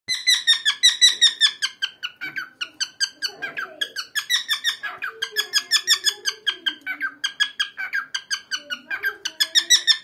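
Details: A male cockatiel chatters nonstop in a fast, unbroken run of bright, harsh chirps, about three each second, over a faint low hum indoors.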